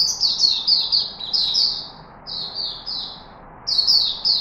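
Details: Chickadee kept in a cage in Singapore, 4 March 2021, singing a near-continuous string of high, sweet whistles. Each note glides down in pitch, about a dozen in quick succession broken by short gaps.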